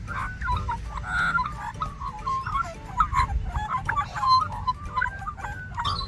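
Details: An Australian Magpie gives its warble, a friendly invitation to other magpies. It is a varied six-second run of rich, fluting and gurgling notes, with background music and a low rumble underneath.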